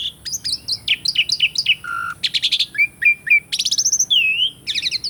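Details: Asian pied starling song recorded for therapy of birds gone quiet: quick chattering clicks, a low nasal note, buzzy bursts, clear whistles and a rising-falling whistled slur.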